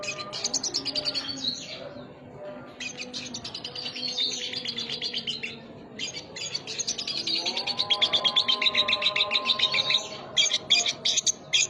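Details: Lovebird song in the sogon isian style, filled with sogon notes. It is rapid, high, buzzy chattering in near-continuous bursts, with a brief pause before the third second. A lower, steady whistled tone runs beneath the later part.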